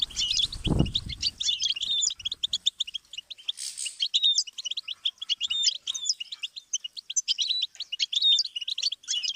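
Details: Goldfinch singing as a stimulus for teaching songbirds; a low thud opens, then long, lively runs of rapid twittering and tinkling notes continue without a break.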